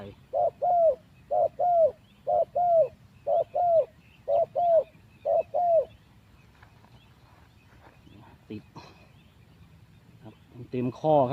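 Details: Caged spotted dove kept as a hunting decoy, out of its breeding cage for only three days and not yet fully fit, giving low soft paired coos about once a second for six seconds, then quiet with scattered clicks and a brief higher chirp at the end.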